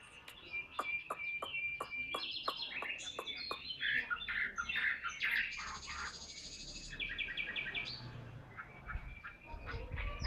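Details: Caged tame Chinese hwamei, a large, handsome, prolific singer, opens with a series of sharp clicking notes. It follows with dense, varied warbling and chattering phrases, with some low background rumble.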